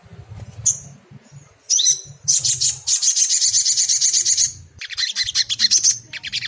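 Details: Lure song of a crimson sunbird for an untrained caged bird: scattered thin high squeaks, then a sustained run of rapid, piercing chipping notes, and a final looser burst of high chatter.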